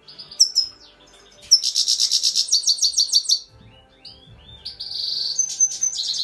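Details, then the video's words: Grey-crowned goldfinch giving high, bright chirps and a fast tinkling twitter of rapid repeated notes, then a pause and a thin sustained trill ending in sharp high whistles. "Щегол чир чир"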